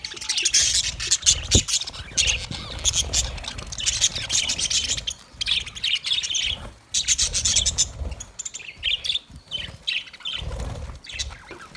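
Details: Continuous scratchy warbling from budgerigars, rasping high notes packed densely in long bursts with brief pauses, a low hum and thumps beneath.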